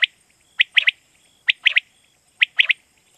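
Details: Quail from Pakistan giving the call used to lure birds for night hunting: clear, quick triple-note phrases, sharp and evenly spaced, repeated three times in a few seconds against a soft steady electronic whine.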